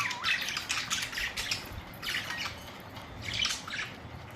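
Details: Several colourful pet budgerigars, recorded April 19, 2023, giving harsh squawking chatter in repeated bursts of broadband noisy notes, with brief pauses between the flurries.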